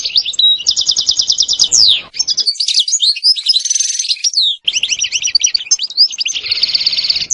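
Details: European goldfinch in continuous setsta and betbta song: buzzy repeated trills alternating with rapid tinkling twitters, with no break.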